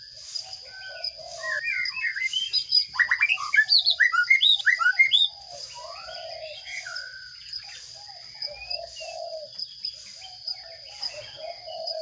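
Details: Sparrow chicks being fed by a parent in a nest box: a loud, dense burst of rapid, high, scratchy chirps for about two and a half seconds, then scattered softer chirps over repeated low arched notes and a steady high electronic whine.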